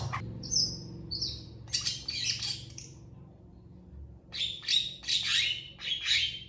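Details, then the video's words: Long-tailed shrike singing with emotion in long phrases, answered by other shrikes. Thin, high whistles are followed by grating, scratchy bursts, then a pause and more loud rasping calls. "CENDET FULL TEMBAKAN PANJANG . . PENTET GACOR DOR FULL EMOSI CEPAT DI RESPON CENDET LAIN"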